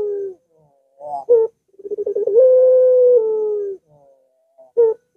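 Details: Puter dove, long pelung-style coo played to coax a lazy dove into calling: brief notes, then a stuttering trill rising into a held low tone that tapers off, and a final short note.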